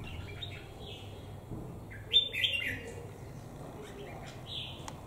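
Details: Red-whiskered bulbul, crested 'Mào Đá' type held in a cage over a year, sings one strong burst of rich, fluty whistled notes midway, with softer scattered chirps before and after against faint background noise.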